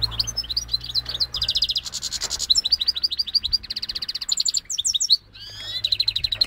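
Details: Goldfinch x canary hybrid from Syros in full song: a continuous, rapid, rolling warble that shifts between twittering notes, fast buzzy trills and pulsed rattles, with almost no pause over several seconds.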